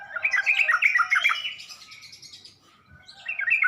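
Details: Provoking lure of a sooty-headed bulbul: a lively warbled phrase of tumbling, jumbled notes, fading to soft twittering, then rising again into a short bright chatter.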